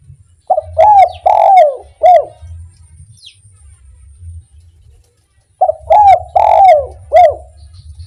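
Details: Spotted dove, kuk 1 song aimed at making other doves sing: two phrases of four mellow, arched coos each, roughly five seconds apart, with a faint low rumble between them.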